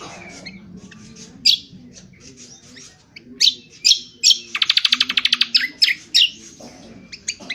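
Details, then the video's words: Rough twittering ngriwik kasar song of an Indonesian honeyeater, used for training birds: scattered sharp high chirps, then a fast rattling trill of about a dozen notes in roughly one second, then more spaced chirps. "Cucak Kombo : belajar Ngriwik NGriwik Kasar!!"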